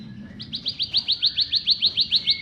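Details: Bar-winged prinia song used to stimulate silent birds: a short burst of loud, evenly spaced high chirps, roughly five per second.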